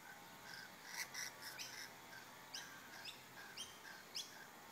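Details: In the bush, rainbow lorikeets mating produce a busy run of shrill chirps and rasping squeaks, several overlapping in quick bursts, then spaced upward-sweeping screeches.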